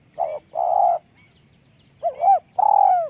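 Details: Spotted dove with a small voice in the 'luk kok' call style: two flat hollow coos, a pause, then an arched coo and a long buzzy descending coo, over faint background ticking.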